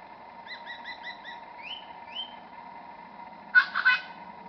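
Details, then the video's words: Superb lyrebird, a few metres away but hidden in scrub at Bungonia State Conservation Area, mimicking other forest birds: a quick run of five bright chirps, two rising whistled sweeps, then two loud harsh bursts, over a steady low hum. "Superb Lyrebird song"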